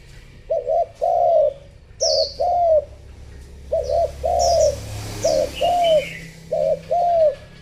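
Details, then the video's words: Female spotted dove cooing to stimulate males: paired low coos repeated steadily, a short double note followed by a longer note, with faint high chirps from other small birds in the background. "chim cu mái gáy thúc gù kích trống"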